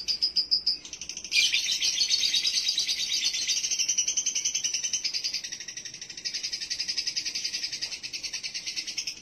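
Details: Lovebird lure sound played to bring a male in konslet breeding condition: a dense, rapid, shrill chattering trill, pulsing several times a second, after a few brief opening chirps, continuous throughout.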